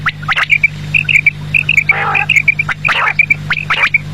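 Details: Quail calling at evening: brisk series of clear, piping notes in groups, punctuated by harsh squawking bursts, with a faint continuous low hum.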